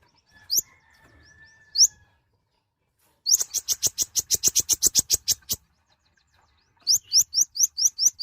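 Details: Small nectar-feeding mouse-colored sunbird in loud song: two isolated high upslurred chirps, silence, then a rapid series of about fifteen sharp high notes, and finally a run of quick rising whistled upslurs.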